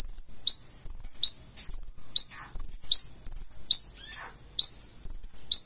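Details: Purple-throated sunbird in gacor full isian song: high sharp downslurred notes alternate with thin, level whistles about twice a second, with one brief scratchy sweep mid-phrase.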